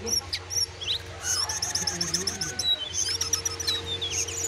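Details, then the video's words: Wild sooty-headed bulbul facing a caged sooty-headed bulbul, the wild bird eventually flying off; strings of short sharp high chirps, some in quick trilled runs, over a constant low droning hum. "Aksi Jongkangan Liar Vs jongkangan sangkar, jongkangan liar sampai kabur"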